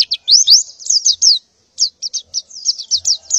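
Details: A breeding-condition female white-eye calls for males in the morning: clear, high, slurred rising notes, quick chirps repeated in two phrases split by a brief silence.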